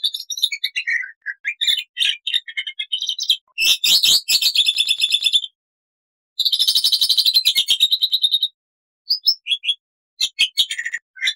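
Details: Loud, varied black-winged starling song: busy twittering and chirps, dense harsh chatter bursts separated by brief silences, and high scratchy notes near the end, long and short phrases mixed; no other sounds.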